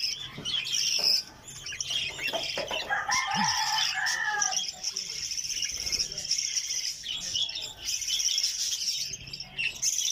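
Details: Budgerigar (Melopsittacus undulatus), chatter.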